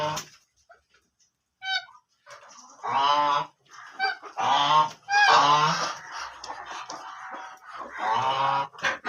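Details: Black ducks calling in long, raucous, nasal quacking bouts lasting a second or more each, with a few thin high notes between them.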